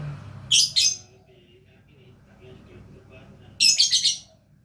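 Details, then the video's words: Lovebird letting out two brief bursts of rapid, shrill chirping separated by about three seconds of quiet indoor background. "Love Bird Gacor"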